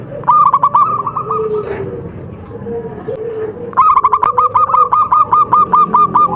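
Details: Local perkutut, the Javan zebra dove, in contest-quality song: a rapid string of rolling coos, a pause filled with quieter low cooing, then a longer even run of about fifteen quick repeated notes.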